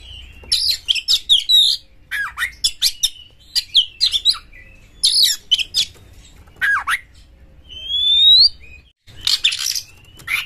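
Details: Champion Oriental magpie-robin singing nonstop with full emotion and spread tail, used as a lure to provoke other magpie-robins. Rapid bursts of sharp, varied whistles and harsh notes, a long rising whistle near the end, and low background hum.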